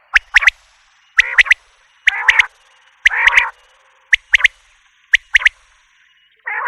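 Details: Common quail: crisp triple-note pips repeated roughly every second, interleaved with short buzzy nasal bursts.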